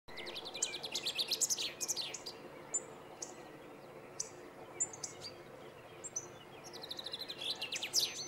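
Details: A male chaffinch at Planina Gornja, Croatia, on 22 March 2014, gives a bright, rattling song phrase that speeds up and tumbles downward. Single sharp notes follow before the song comes again.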